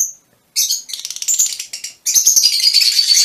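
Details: After a single opening squeak, a mutation-coloured Fischer's lovebird launches into continuous harsh, high twittering, rapid and slightly rasping, with a short break midway.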